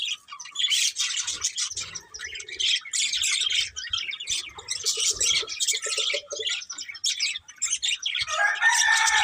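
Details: Budgerigars, called happy, keep up lively chirping: bursts of fast, raspy high warbles and squeaky chirps alternate with brief soft pauses, then end in a louder, harsher squawking phrase.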